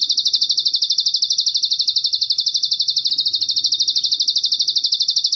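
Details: Bar-winged prinia giving a high, thin, buzzy trill that runs without a break, pulsing about three times a second over a faint low background rumble.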